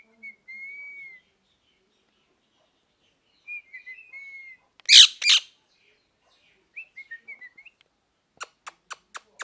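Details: Parrot making soft drawn-out whistles and faint chirps, broken by a pair of loud harsh screeches, then a quick series of short clicking ticks.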